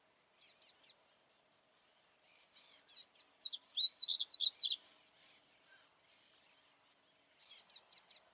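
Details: Double-collared seedeater singing in nature during display: short bursts of three or four high, sharp chip notes, then a quick run of varied whistled and buzzy twittering notes, the chips returning at the end; quiet background.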